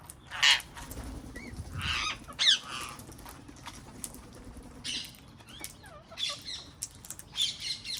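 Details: Wild parrots in a garden give short, harsh screeching squawks in bursts roughly every two seconds, with wingbeat flutters and quieter chatter between the calls.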